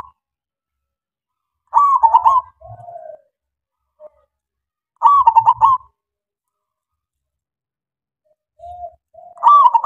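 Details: Local zebra dove (perkutut lokal) song used as a lure to make silent doves call back, performed in the morning: a bright pulsed cooing phrase of quick rippling notes, repeated every few seconds with softer drawn-out coos between, clean background.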